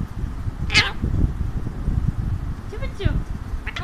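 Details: Talkative caged-pet Alexandrine parakeet on its owner's hand, giving two raspy, nasal harmonic bursts a couple of seconds apart over steady low background hum.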